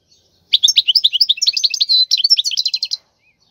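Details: Song of a wild European goldfinch, meant as a model for young birds to learn: rapid tinkling, high-pitched twittering phrases broken by one held pure whistle, about two and a half seconds long, with no other sounds.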